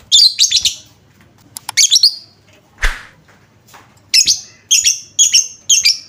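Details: Lovebird lure sound used to make other lovebirds sing: rapid clusters of shrill, buzzy chirps, a loud click near the middle, then a quick run of sharp repeated chirps toward the end.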